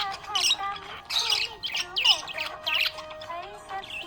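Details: Happy budgerigar chirping: quick bursts of high, scratchy chirps and squeaky notes in uneven clusters, with wavering lower warbles and a steady low hum underneath.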